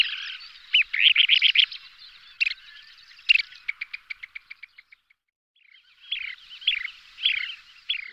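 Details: Kentish plover pair calling during aerial display flights: short, high rolling chirps in quick bursts, then an accelerating series of sharp clicks that trails off, followed by more chirps.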